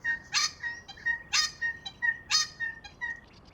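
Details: A little wattlebird in Melbourne at sunrise gives harsh, creaky squawks about once a second, like a neighbour's squeaky bed, with clear whistled notes from other birds between them; birds are singing to defend territories.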